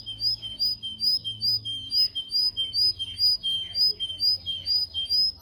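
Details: Canary singing, meant for teaching canaries to sing: a steady series of downward-slurred whistled notes, two or three each second, over a faint low hum.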